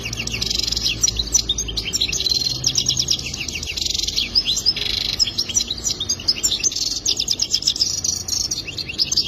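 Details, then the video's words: Goldfinch pouring out a dense, unbroken warble of high twittering notes, buzzy rattles and fast trills for about nine seconds, over a faint low rumble. "اجمل تغريد حسون"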